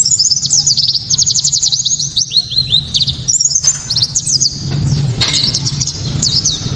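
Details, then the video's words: White-eye delivering a sharp, clear 'tembakan' song meant to provoke other white-eyes into singing: dense run of very high rapid chirps and descending slurred whistles, then more scattered notes, above a low continuous hum. "Pleci kaca mata‼️tembakan‼️penuh sensasi‼️ pleci bakalan ❓ pasti langsung ikut Gacor"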